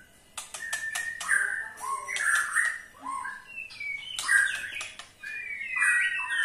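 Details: White-rumped shama giving a ketrekan call, used to make other shamas sing: clear whistled notes mixed with sharp clicks and short rising and falling phrases, with brief pauses between bursts.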